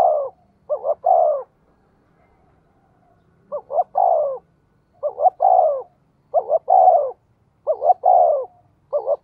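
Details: Spotted dove kept as a decoy bird, calling in the thổ voice style. It gives a repeated three-part coo: two short rising notes, then a longer, descending, hoarse coo. About six phrases are heard, spaced one to two seconds apart, over quiet background.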